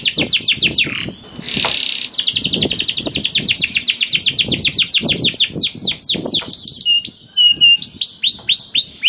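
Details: Canary singing to prompt other canaries to sing: a long continuous rolling song of rapid repeated upslurred and downslurred whistled notes high in pitch, with trilled rattling passages and a brief burst of noise near the start.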